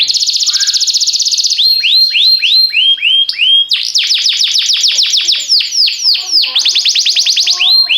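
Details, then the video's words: Canary timbrado song for training canaries: fast pulsed trill, a string of curved downward whistles, then long sequences of rapid descending sweeps and rolling trills, loud throughout. "Cantar canário faz seu canário cantar - o melhor treinador"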